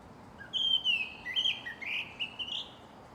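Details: Japanese thrush at Shinano-Oiwake, Japan, delivering a rich warbled phrase of bright fluty whistles, rising and falling, with quick trills and slurred notes packed into about two and a half seconds.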